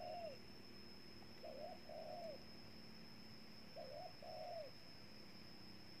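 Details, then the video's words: Spotted dove in Ninh Thuận, Vietnam, cooing faintly at a distance. It repeats a short phrase of a quick double note and a drawn-out falling coo twice, under a steady background hiss and hum. "Cu Gáy Ninh Thuận"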